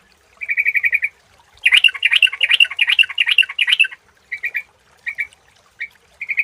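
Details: Clear Sooty-headed bulbul lure sound. A buzzy trilled burst leads into a loud, busy bubbling run of chirps, followed by short separate chattering bursts.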